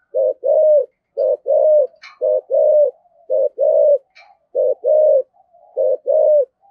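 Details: Decoy spotted dove of the thổ voice style, cooing and calling with a two-part ending: low hoarse coos, a short note followed by a longer rolling one, repeated about once a second, with faint higher clicks between.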